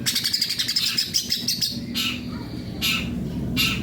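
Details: Greater green leafbird (cucak ijo) singing in full voice (gacor): a fast run of high, sharp, evenly repeated chirps, then several short harsh broadband bursts with a low hum underneath.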